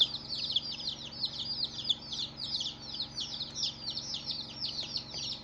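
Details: Crowd of colourful baby chicks producing loud, shrill, falling peeps in rapid overlapping succession, volume swelling and dipping, with only a faint low hum in the background.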